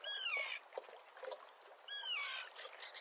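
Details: Common tern at a small breeding colony with chicks near a mole off Liepāja, Latvia, June 2024. Two separate harsh, downward-curving calls sound about two seconds apart over quieter background chatter.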